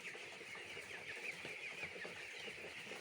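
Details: Chicks on a poultry farm peeping softly, with scattered high chirps over a hissy, muffled background.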